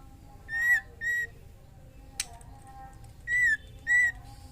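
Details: Calling female white-rumped shama, in breeding condition, summoning a male to mate; pairs of clear, steady whistled notes, two near the start and two near the end, with a single sharp click between them.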